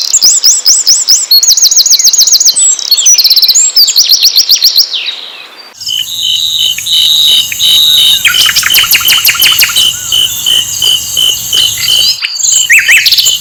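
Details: Asian brown flycatcher song used to provoke other birds into singing: rapid, high, thin chirping trills in fast repeated runs, broken by a short gap, then denser sharp twittering over a steady high tone.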